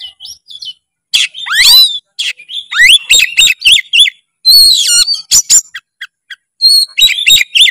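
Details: Singing Oriental magpie-robin: a varied, busy medley of steep rising whistles, sharp clicks, chattering notes and piercing high phrases packed with imitations, delivered loud with short pauses.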